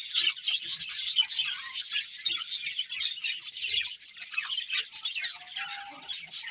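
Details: Budgerigar breeding pair chirping: bright, rapid high tweets and chattering warble, fading slightly toward the end, with a short whistled tone near the close.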